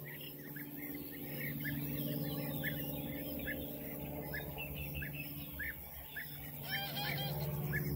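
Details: European bee-eaters at the Soča river mouth nature reserve (Izliv Soče) on 14 June 2024 give short, rolling, liquid 'prruip' calls, several birds overlapping about three times a second, over a steady low rumble.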